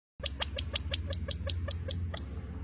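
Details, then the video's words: California quail (Callipepla californica) gives a rapid series of sharp 'pit-pit' notes, about five per second for two and a half seconds, over a low background rumble. "California Quail (With Repeated Pitpit Sound)"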